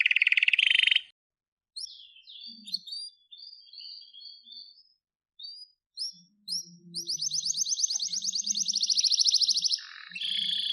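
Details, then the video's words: Domestic canary singing indoors: a loud buzzy trill opens, then pauses, scattered whistled notes and short chirps, building into a long rapid rolling trill near the end with a steady high tour closing it. "Wonderfull Canary Singing"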